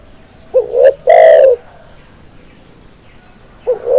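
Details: One complete spotted dove phrase of short rising coo, clipped note and long mellow coo, followed by silence and the opening coo of the next phrase, recorded as training song for birds.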